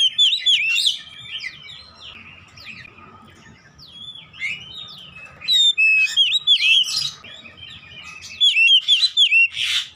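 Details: Oriental magpie-robin (kacer) song used as therapy to get a silent bird singing again: rich, varied whistled phrases with sweeping slurred notes and rapid chirps in loud bursts, quieter stretches between, faint low hum beneath.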